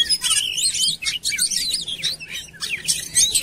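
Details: Oriental magpie-robin lure recording compiled to make birds sing; bursts of quick, high, twittering and scratchy notes separated by brief pauses, fairly loud throughout.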